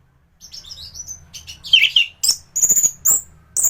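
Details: Thrush song recorded to tutor other thrushes: soft, high thin whistles at first, then a loud warbled burst followed by sharp, very high, ringing repeated notes.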